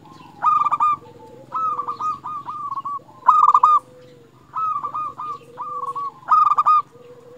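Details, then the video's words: Local Indonesian zebra dove in full song, a recording used as a lure to provoke other zebra doves into singing: stuttering, bubbly cooing phrases, each loud burst trailing into softer rolling notes, repeated about every one and a half seconds. "Perkutut Lokal Gacor Paling Ampuh Untuk Pancingan Burung Perkutut Agar Bunyi"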